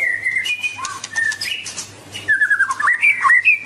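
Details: White-rumped shama song: clear whistled phrases between steady held notes and dipping slurs, broken by short clicking notes, with a faint low hum beneath.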